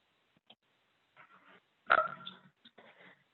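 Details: In the Adirondacks, a Common Loon gives a short, soft mid-pitched hoot among a few fainter low murmurs and soft background sounds. Hoots mean all is well: loons simply talking to each other, often heard when adults feed begging chicks.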